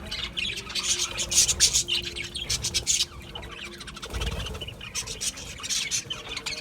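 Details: Budgerigars chirping: dense bursts of high, scratchy chatter and quick tweets, loudest around the middle second, with a faint steady low hum underneath.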